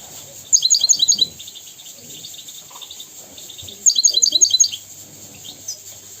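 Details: A European goldfinch sings a tutor song meant for teaching young goldfinches and canaries. Two short bursts of rapid, high, tinkling twitter, each under a second, separated by a pause with a steady background hiss.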